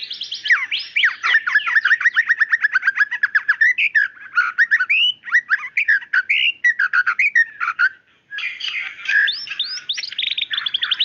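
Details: Female white-rumped shama calls the male with a long rapid series of repeated downslurred chirps, followed by varied whistled phrases, a brief pause, then a dense buzzy burst.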